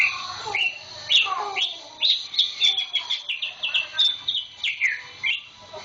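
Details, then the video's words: A week-old purchase, this caged green leafbird with a still-growing tail pours out busy, high whistled phrases of sliding and chipping notes, rising in intensity midway. "kicau cucak ijo"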